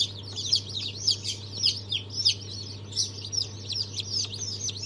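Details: Day-old chicken chicks from a 3 March 2023 hatch of Brahma, Fizan, Australorp and Legbar breeds give insistent high-pitched cheeps, bright downward slurs tumbling over one another, with a low steady hum beneath.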